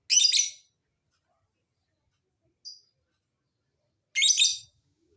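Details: Lovebird calls used to entice lovebirds to sing: two harsh raspy screeches about four seconds apart with a single brief high chirp between them.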